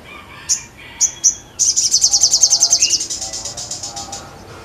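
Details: Sogon singing vigorously: a few sharp high chips, then a fast run of about twenty rapid, buzzy, high-pitched notes, softer lower warbling at the end.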